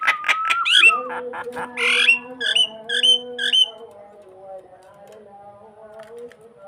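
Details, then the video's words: Starling song used to lure another bird into nodding: harsh squawks and a long steady whistle open, then a raspy burst and four quick hooked chirps, over a low steady humming tone that lingers as the calls fade. "Burung jalak memancing mangguk mangguk"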